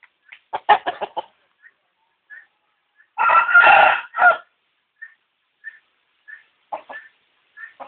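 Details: Gray and red rooster: scattered short clucks, then a loud harsh crow lasting about a second, followed by more sparse clucking notes.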